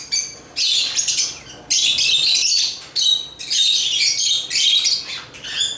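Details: African lovebirds chirping in repeated harsh, high bursts roughly every second, with buzzy, noisy texture and short gaps between phrases.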